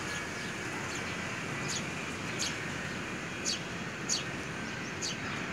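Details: Sparrow babies being cared for and fed by their mother, recorded 3 May 2020: short sharp high chirps at irregular intervals, about five in the span, over a constant hum of traffic noise.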